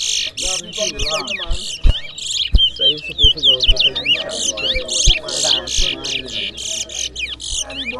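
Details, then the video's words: Towa Towa birds in a whistling competition between two rivals deliver a continuous high, rich song of buzzy bursts, looping whistles and quick rising and falling slurs. Low voices, and knocks that come about once a second, run underneath. "Bella Towa Towa Bird Whistling Competition"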